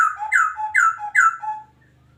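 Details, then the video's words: Adult breeding male white-rumped shama of Medan stock in a breeding cage, giving three or four rich descending whistles around mid pitch, each followed by a lower note, in a small indoor room. "Murai Batu Medan Gacor"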